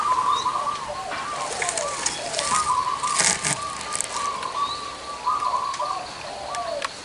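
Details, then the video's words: Several zebra doves with large and small voices together, singing continuous trilled coos and lower gliding notes amid a patter of crackling, rain-like ticks. "PERKUTUT SUWARA BESAR DAN KECIL NGUMPUL DI LOKASI INI"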